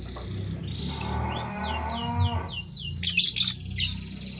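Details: Green and blue lovebirds scrambling for vegetables in the morning: a rapid string of falling whistled notes, then a cluster of harsh buzzy chirps, over a steady low hum.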